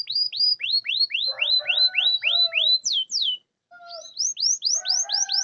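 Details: Canary song meant to coax quiet canaries into singing: repeated upswept whistled notes in fast series, with a brief low buzzy undertone, two steep descending whistles, a short pause, then more rising sweeps.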